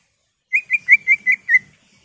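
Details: Agitated caged greater green leafbird in full song, used to goad other birds into singing: six short, clear whistled notes at an even mid-high pitch, delivered in a quick steady series after a brief silence.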